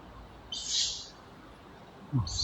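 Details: Young tawny owl, one of two perched high on a branch, gives a drawn-out breathy hiss lasting about half a second, then a second hissing squeak begins after a pause, with low rumbling noise beneath.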